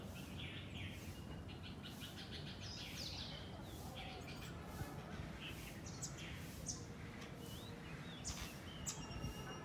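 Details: Flock of house sparrows in a garden, chirping continuously: dense, short, overlapping chirps from many birds with a few higher whistled notes, over steady low background rumble.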